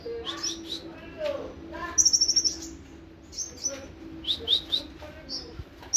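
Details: Olive-backed sunbird (kolibri ninja) in nembak sejalur song: scattered high trills and thin chirps. One crisp, rapid, very high rattle sounds midway, over a soft background hum.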